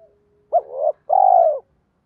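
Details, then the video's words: Spotted dove lure call used to provoke wild doves. A single phrase: a quick rising note sliding into a softer hum, then a full, steady coo that tapers downward. "cu gay gọi 2 hậu và thúc đấu ba tiếng"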